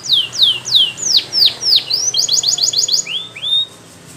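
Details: A Belgian canary sings slow, loud downward-curving whistles, then a quick run of short rising notes and two upswept whistles before falling silent.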